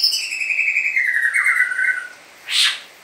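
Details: A 7-month-old captive White-rumped shama, trained on cililin song, gives one long, clear whistle that slides slowly downward over two seconds, followed by a short harsh rasping note.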